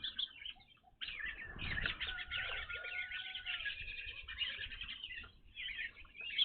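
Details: Several evening grosbeaks at a bird feeder where they had not been seen before. A brief pause gives way to dense, overlapping chirping and short slurred calls, with a faint low whistle-like tone in the background.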